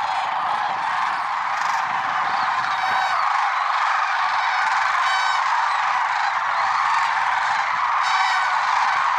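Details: Lesser sandhill cranes at Merced National Wildlife Refuge, early morning of February 6, 2023. Rolling, trumpeting calls repeat irregularly, several standing out clearly, above the thick steady chorus of the whole flock.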